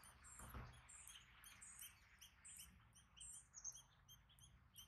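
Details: Gray catbird hatchlings being fed by their parents give thin, very high squeaks, several each second in quick bursts, over low rustling and a soft rumble.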